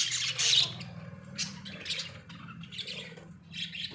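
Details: Caged Australian budgies give a few scattered high chirps and short scratchy bursts, fairly soft, over a low background hum.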